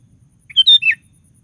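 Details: [3, 'Sooty-headed bulbul in lively song, used as a lure to set other bulbuls singing: one brief phrase of three liquid whistled notes, the last dropping in pitch, against near silence.']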